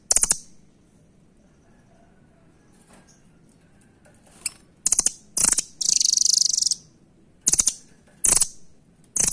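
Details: Velvet-fronted nuthatch, locally called rambatan, giving very high, rapid chattering trills in short bursts, with a longer buzzy rattle near the middle and quiet gaps between bursts.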